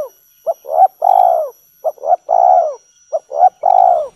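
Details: Spotted dove in the 'kuk 3' calling style, used as a lure for other doves: two short soft notes followed by a long, full, slightly falling coo, the phrase repeated three times in clear, clean conditions.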